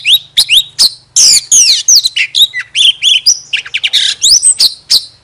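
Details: Oriental magpie-robin used as a decoy bird, singing with its tail fanned: loud, varied phrases of sharp rising whistles, sweeping slurred notes and rapid chirps in quick succession, over a faint low hum.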